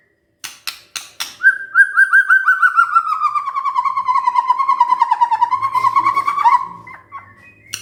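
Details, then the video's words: White-rumped shama singing when provoked, nyaut gacor style: a long rapid trill of repeated notes slowly falling from mid to lower pitch over five seconds, after a few sharp clicks, ending with a short rising phrase. "tidak nyampe 3 menit murai TERPANCING emosinya, nyaut GACOR✅ shama bird"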